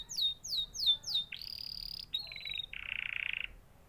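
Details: Canary song: four sharp descending chirps, a sustained high whistle, a short buzzy phrase and a rapid rattling trill, clear against a quiet background.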